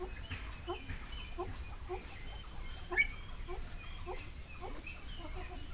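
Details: Captive ring-necked pheasants at a pheasantry in Pakistan, recorded by camera trap, give a steady run of low, short clucking notes that overlap. One sharper high note comes midway over a constant background hum.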